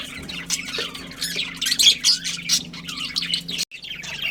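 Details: Pet budgerigars, a breeding pair, chattering in quick high twittering notes with a few harsher squawks, ending after a brief cut-off; faint constant low hum behind.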